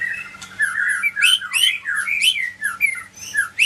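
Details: Medan-type white-rumped shama singing a rich, varied song of slurred whistles, sharp upward sweeps and high squeaky notes, with a faint low hum behind it.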